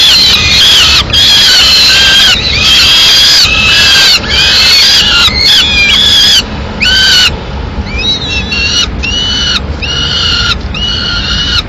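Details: Young peregrine falcons in Madrid on 19 May 2016, fed a pigeon brought by the female. Loud, drawn-out harmonic whining calls, each about half a second, repeated roughly once a second, with short bent-pitch notes later and low rumble beneath.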